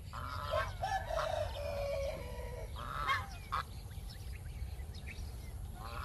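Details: Geese kept in a backyard: a run of loud, harsh, nasal honks fills the first three seconds, followed by a few scattered shorter honks over a steady low rumble of background noise.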